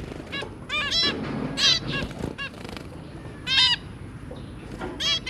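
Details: Five zebra finches, a pair plus three young, 23 January 2022: clipped nasal honks alternate with louder buzzy bursts, spaced unevenly, over faint low hum.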